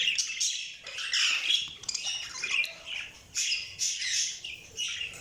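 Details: Budgerigars chirping: overlapping high warbling chatter and squawky notes in irregular bursts, several birds calling at once with little pause.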